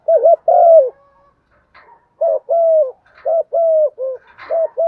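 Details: Spotted dove calling its flock in the morning: low, soft cooing phrases, each a short double coo followed by a longer drawn-out coo, repeated about every second and a half.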